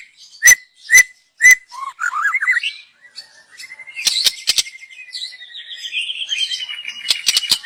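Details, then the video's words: Young white-rumped shama of the forest, sung as a lure: three loud piercing chips, a rising zigzag warble, then a long buzzy trill mixed with sharp clicks. "Kicau burung MURAI BATU Muda Hutan. Cocom untuk pancingan"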